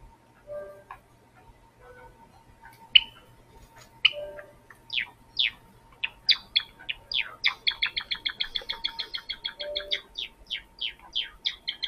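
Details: Java sparrow recorded with an SJCAM C300 camera: soft low clucks and clicks at first, then a run of sharp, high, rapidly repeated chirping notes that quicken into a steady tinkling series toward the end, with a faint hum behind.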